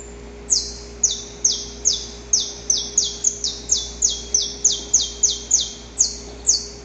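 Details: Wild saffron finch singing a fast, even run of about seventeen high, harsh notes, each sliding sharply downward, repeated roughly two or three times a second without a break, over a faint constant hum.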